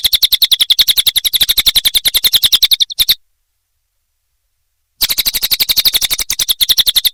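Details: Small minivet, known as cililin, sung nonstop as a model for magpie-robins, canaries, lovebirds and leafbirds: rapid high chattering pulses, slightly uneven, with a sharp break of about two seconds of silence.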